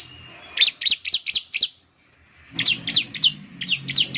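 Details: Ciblek lure song in lively gacor style: two bursts of five or six crisp, high, steeply descending chirps separated by a brief silence, with faint low hum underneath.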